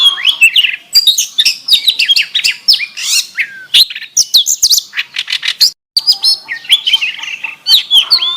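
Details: Song of an oriental magpie-robin carrying canary phrases: dense, rapid twittering and warbled whistles, high and varied, with one lower drawn whistle and a brief break before the chatter resumes.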